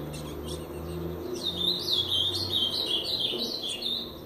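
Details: Captive brown-plumaged Ultramarine grosbeak courting and mating with a female after being let into her side of the cage: brief faint notes, then from about the midpoint a lively, high warbled phrase of rapid looping notes over a low hum.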